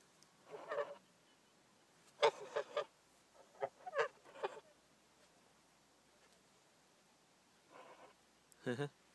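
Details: Goose described as laughing, giving harsh, nasal honks in short uneven bursts of two to four notes separated by quiet pauses, with a final loud double honk.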